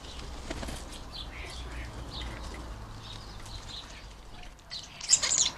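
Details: At UK garden bird feeders, starlings fighting over the feeders give scattered soft chirps, ending in a sudden harsh, high screeching burst, with wing flutters and a low background rumble throughout.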